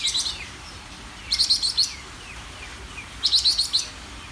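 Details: A greater green leafbird sings energetically. Three rapid bursts of high, metallic chattering notes come roughly every second and a half. Soft downslurred whistles fill the gaps between the bursts.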